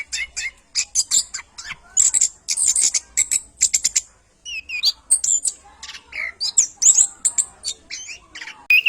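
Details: Orange-headed thrush singing a lively training song meant for other songbirds to learn: rapid bursts of very high, scratchy chattering notes mixed with short sweeping whistles, nearly continuous with brief pauses.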